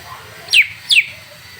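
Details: Greater green leafbird (cucak ijo) song played to provoke a bird into singing: two sharp, clear descending whistled notes about half a second apart, over a low steady hum.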